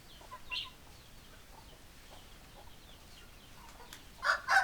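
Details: Chickens, hens and roosters, with soft scattered clucks in the background before two loud, harsh squawks burst out near the end.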